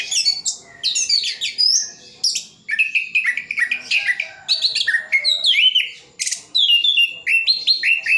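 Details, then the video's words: Orange-headed thrush in full song with mimicked phrases, from Sidoarjo, East Java; loud, varied whistles and sweeping notes, rapid chattering bursts and trills, delivered in quick changing phrases with brief pauses. "Anis Kembang isian full"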